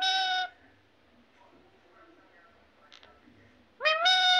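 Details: A talking parrot mimicking human words like "mummy": a strong tonal syllable opens, then near silence with soft murmurs and a short click, then a rising two-part word closes the recording.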